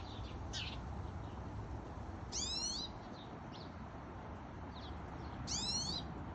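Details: Pine siskin at a backyard feeder in Calgary, Alberta, 9:50 am on August 9, 2021: two buzzy, rising, wheezy notes about three seconds apart over steady low rumbling background noise.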